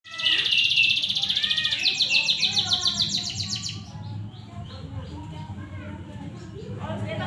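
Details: Canary in full song, described as gacor (singing vigorously) in Indonesia: a loud rapid run of high trills and rolled chirps for the first four seconds, then softer twitters over a steady low hum with some voice-like background.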